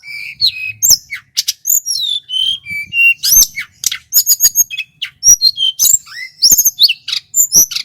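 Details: Male Sunda whistling thrush from Merapi in full, loud, varied song: clear whistles, rolling trills and sharp high chirps mixed in rapid succession, with pure falling whistle notes between bursts; otherwise quiet.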